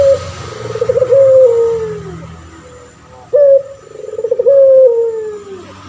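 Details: Long, smooth coos from a male pelung turtle dove kept for training other birds, each opening with a brief rising note and trailing into a slow downward slide, repeated twice.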